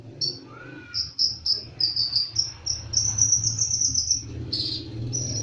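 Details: Bird in lively singing form, called konin dacok: a fast run of high, evenly spaced piping notes forming a trill, followed by a harsher burst and a closing note, over steady low background rumble.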